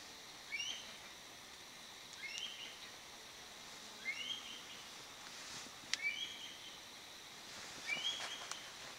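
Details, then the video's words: Mountain hawk-eagle in Taitung, Taiwan, 2007, recorded during a breeding and foraging study, giving thin, high whistled calls, each a quick upslur then a short trailing note, about every two seconds over steady background hiss. "熊鷹 （赫氏角鷹） Mountain Hawk-Eagle"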